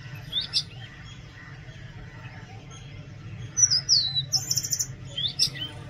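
Oriental magpie-robin song: varied high whistled phrases, some sweeping downward, with scratchy notes in between, over a low steady background hum.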